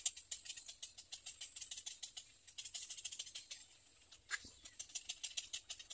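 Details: Little egret baby at the nest, nest 3: steady rattling series of crisp high clicks, several a second, broken by one brief harsher downward squawk partway through.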